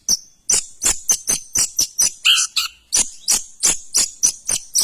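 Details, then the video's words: ['Long-tailed shrike song: rapid series of harsh, buzzy high-pitched bursts, about three per second, with a brief clear whistled note midway and a thin sustained high tone running through.'] "Suara burung cendet The sound of shrike"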